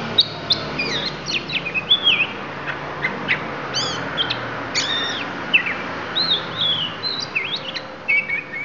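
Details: Lampung oriental magpie-robin pouring out isian fill-in phrases: scattered sharp chips and curling whistled upslurs and downslurs, varied and irregular, over constant low hum.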